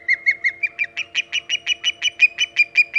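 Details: Early-morning osprey calls at the Hog Island nest, 5:37 am EDT on 13 August 2019, as the bird arrives; a continuous string of sharp whistled yelps, roughly three per second, growing slightly louder and higher midway, over a low steady hum.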